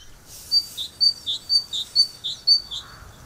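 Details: Great Tit (Parus major) singing the shorter two-syllable version of its basic song: a higher clear whistle followed by a lower one, the pair repeated about every half second in an even series against a quiet background.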